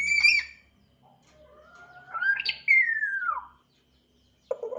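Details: African grey parrot beginning to chirp: a sharp high chirp, a long whistle that climbs steadily then sweeps slowly down, and a short rough squawk at the end, with a faint low hum.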